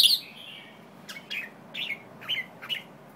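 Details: White-tailed jambul giving a short series of five brief, downward-sliding chirped notes, spaced roughly every half second, after a louder opening burst; faint low background hiss throughout.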